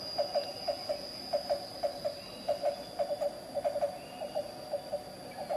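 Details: Black-banded barbet, endemic to Java, at Carita, Pandeglang, Banten, Indonesia, gives low, hollow, knocking notes in short clusters of two or three, repeated steadily, over a constant high insect whine.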